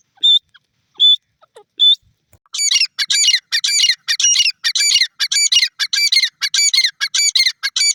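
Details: Black francolin (teetar) at feeding: three clear high whistled notes, then a fast run of loud, harsh, buzzy notes repeated about every half second for several seconds.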